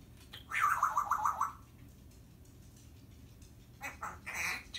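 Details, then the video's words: Timneh African grey parrot vocalizing indoors: a rapid run of about six bright, even chattering notes over a second, then quieter rasping squawks and a harsh, buzzy squawk near the end. "Talking - Timneh African Grey Parrot"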